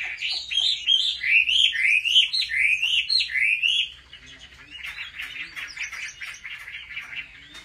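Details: Chinese hwamei singing competitively during home training, with a series of clear rising whistled notes repeated rapidly for four seconds. A quieter, scratchy warbling follows.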